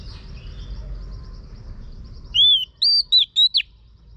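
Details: Faint twittering and hum lead into a loud whistled phrase from a female Oriental magpie-robin stimulating a male: five clear notes, arched and down-slurred, within about a second.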